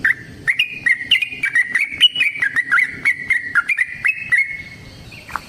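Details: Yellow-vented bulbul singing a long rolling trill to goad caged birds into song, with clear whistles in a continuous stream, slowly descending and tapering off near the end.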